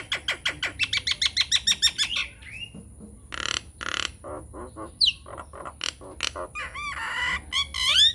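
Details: Nias hill myna in full voice, unedited lure song meant to make silent mynas answer: fast run of harsh, even repeated notes about three per second, then scattered squawks, clicks and rising whistled swoops.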